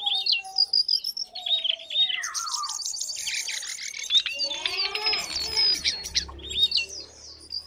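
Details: Lesser shortwing delivering high, thin whistles and rapid twittering, with falling slurred notes and a cluster of lower sweeping tones in the middle, ending in more high chirps.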